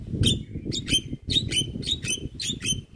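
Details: Javan myna in full fill-in singing, recorded as a master for teaching other birds: harsh, scratchy notes with short whistled tails, repeated about every half second over a low background murmur.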